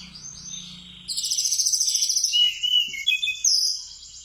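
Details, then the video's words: Mountain tledekan singing sikatan londo phrases for use as a bird-training master; a quiet start gives way to loud, rapid high-pitched trilling and chattering, with short whistled notes near the end. "Tledekan gunung isian sikatan londo"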